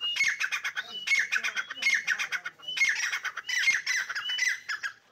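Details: Fighting partridges give loud raspy squawking bursts in clustered groups, roughly one cluster per second, with short whistled notes between them.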